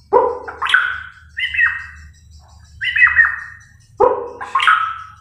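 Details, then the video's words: A White-rumped shama (Copsychus malabaricus) from Kalimantan, Borneo, sings loud, varied phrases of rich whistles and sharp slurred notes in bursts about every second and a half, with a faint low hum beneath. "burung murai kalimantan borneo gacor dor Copsychus bird malabaricus"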